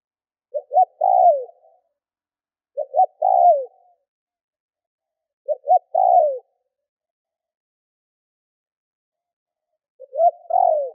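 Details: Spotted dove kept as a decoy gives steady cooing to provoke wild doves: four phrases over eleven seconds. Each phrase pairs two short notes with a drawn-out falling coo, with a longer pause before the last.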